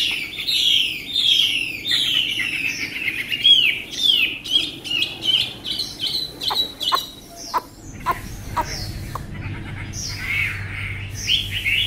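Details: Chinese hwamei, a tame cage bird noted for fine singing: fast repeated slurred whistles at first, then a series of sharp dry clicks mixed with shorter warbled notes and a low background hum.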